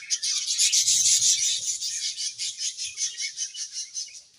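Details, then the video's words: Budgerigar colony in a happy mood, with continuous raspy, buzzy chatter pulsing in a steady rhythm of about two to three beats per second. Faint low knocks sound early on. "Budgies Happy Colony Chirping Sounds"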